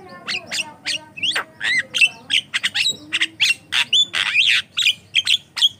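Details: Jalak kebo, the Javan myna, in full gacor song meant to draw and train other mynas: a dense chatter of harsh squawks mixed with rising whistles and creaky notes, packed tightly together.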